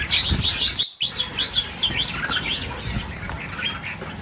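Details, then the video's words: About a thousand red-whiskered bulbuls being released together; a dense chorus of short, bright, up-and-down chirps and warbles overlapping without pause, with soft thumps of wingbeats and handling underneath. "Phóng sinh 1000 con chim chào mào - chào mào căng lửa"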